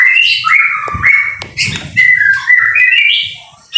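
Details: Singing white-rumped shama in the rain, a tutor recording for training birds: clear whistled notes that slide and step between phrases, with brief pauses, over a few low thumps and rustles in the background.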